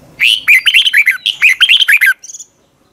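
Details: Continuous morning song from a red-whiskered bulbul in the long twisted double-voice style, recorded in 2020: a long, unbroken string of quick, bouncy whistled notes, ending in a few thin, high chirps.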